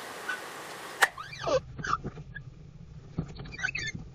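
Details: Adelaide rosella chicks at a backyard garden nest box, early morning; a sharp knock, then short squeaky downward-sweeping calls and chirps over a steady low hum, with scattered clicks.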